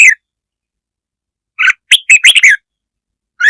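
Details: Red-whiskered bulbul song used to provoke other birds: short bursts of bright chirping notes around 1.5 to 2.3 seconds, a cluster of five rapid notes, with silence between bursts.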